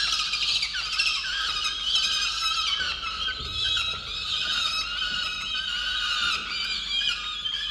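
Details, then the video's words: Angry peregrine falcon in a nest box on a water tower, Orange, New South Wales, Australia, complaining that its mate brought no breakfast, November 8, 2022; sustained shrill, wavering squeals running almost without pause. "Indigo angry on Dimaond for not bringing breakfast"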